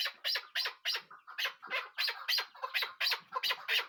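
A chukar partridge gives harsh, clucking chuck notes, about three per second in a steady, rough series. No other sounds stand out.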